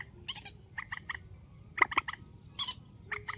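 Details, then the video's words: Grey-headed swamphen, described as a strong call among night bird sounds: short nasal honking notes in quick pairs and triplets, separated by brief pauses, over low steady background hum. "Tiếng trích TRÍCH GHÉP SỐ 4, tiếng trích mạnh"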